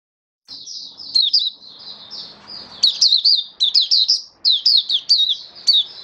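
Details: Oriental white-eye (mata puteh) kept as a hobby bird, singing in the 'buka sing raja' style, recorded 21 October 2022: high, rapid twittering phrases of sharp chirps, steady after a soft start, with faint low background hum.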